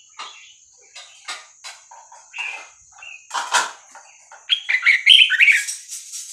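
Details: Vietnamese Red-whiskered Bulbul song used to teach young birds and excite listening birds: soft chips and clicks build into a loud, rapid, bubbling warbled phrase near the end, with a steady high-pitched whine behind.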